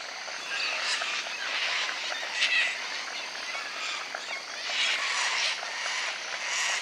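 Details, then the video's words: Sulphur-crested cockatoos at the Barron River give harsh, raspy screeches, several overlapping into a continuous grating chorus with louder bursts every second or two. "Sulphur Crested Cockatoos"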